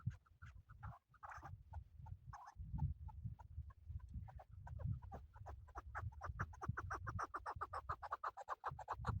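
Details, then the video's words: Male chukar partridge calling, a recording used for hunting: a long run of short clucking notes, sparse at first and then quickening into a steady rapid series, over heavy low rumbling noise. "Male chakoor shikar kekliksesi"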